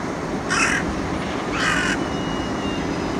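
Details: Two hoarse caws about a second apart from a carrion crow that was playing with a walnut, set against heavy, steady background noise.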